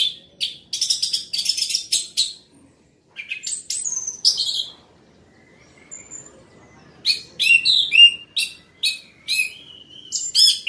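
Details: Loud, continuous song of an orange-headed thrush: rapid, rattling trills and sharp whistled sweeps, a brief pause near three seconds, then a run of quick, repeated, downward-slurred notes to the end.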